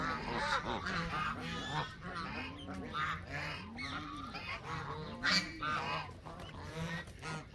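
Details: Canada geese giving overlapping nasal honks, with lower, arching, drawn-out calls mixed among sharper higher ones from several birds.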